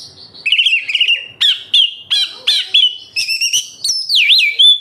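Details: Oriental magpie-robin (kacer) song, meant as a lure to get captive birds singing: a wavering warble followed by a series of sharp, emphatic whistled notes and ending in swooping looped whistles.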